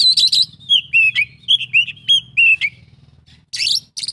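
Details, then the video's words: Oriental magpie-robin singing a series of clear, slurred whistled notes repeated about every quarter second, framed by harsh buzzy bursts, over a faint low hum in the background. "kacer isian full"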